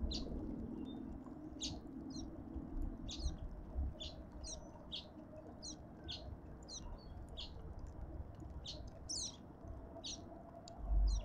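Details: Cut-throat finches at a suburban garden feeder in Pretoria, South Africa: a long, steady run of sharp high chirps, one after another for over ten seconds, above a continuous low background drone.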